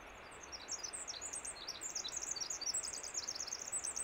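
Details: Winter wren in spring song on Vancouver Island, delivering a rapid, high, jumbled run of sharp twitters and trills that grows louder toward the end, with faint steady noise underneath.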